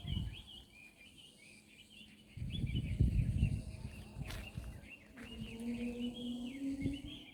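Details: Wild birds calling outdoors at Hac Sa, Macau: a scatter of short, high chirps and rising-falling whistled notes continues throughout, partly masked by steady low rumble and handling noise, with a brief lower whistled tone near the end.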